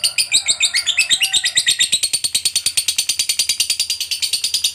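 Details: Lovebird in chatty fighter form delivering long ngekek, meant to stimulate other lovebirds to sing: high squeaky notes at first, then settling into a steady, rapid, buzzy chatter of pulses.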